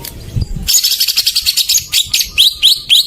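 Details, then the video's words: Greater green leafbird song meant to coax silent birds to sing: rapid very high buzzy chatter followed by repeated rising whistled notes. "Pancingan burung cucak ijo macet"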